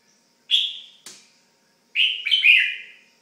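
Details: Red-whiskered bulbul kept as a pet, giving a short clear chirp, a brief click, then a fuller warbling phrase of quick slurred whistles dropping in pitch.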